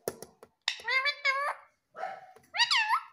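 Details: Pet female Indian ringneck parakeet mimicking Hindi speech, repeating "mummy": nasal, clearly pitched syllables in short bursts, with a falling phrase and then a bright rising-falling one, in a quiet small room.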